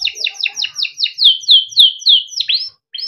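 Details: Caged yellow canary in long gacor song, a masteran piece for young canaries. A fast series of sweeping downward chirps slows into longer slurred whistles, ending in a rising swoop after a brief pause.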